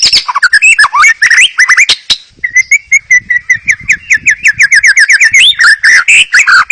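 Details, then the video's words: White-rumped shama singing to stir other shamas into song: dense, varied phrases of rising whistles and sharp chips, then a long, rapid series of repeated notes that rises at the end. "Terapi murai pancing murai agar bunyi"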